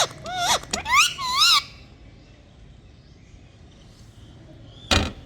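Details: Pet Indian rose-ringed parakeet making funny sounds: a burst of wavering, rich-toned calls that wobble up and down, then a quiet stretch with faint background noise and one short, harsh sound near the end.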